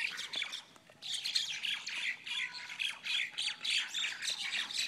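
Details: Myna birds in a large fight, a dense stream of harsh, raspy squawks and screeches overlapping almost continuously, several birds calling at once with rapid irregular bursts.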